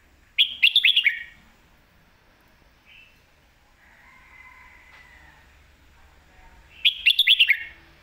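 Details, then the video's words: Red-whiskered bulbul giving lak wai and mae bot song: a loud phrase of five to six rapid, clear, upslurred whistles, then a quiet warbling interlude, then the same bright phrase repeated about six seconds later. "ลากหวาย/แม่บทชัดๆ เสียงดี"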